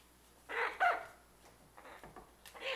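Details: A pet severe macaw that plays tug-of-war with a rag like a dog gives one harsh, raspy squawk lasting about half a second, followed by faint scuffling and a rising rasp at the end.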